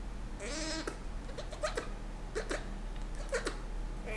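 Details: Indoor pet Senegal parrot in breeding season, treating its owner's hand as a mate, opens with a half-second nasal whine. A string of quick clicking chirps and squeaks follows, repeated roughly every second.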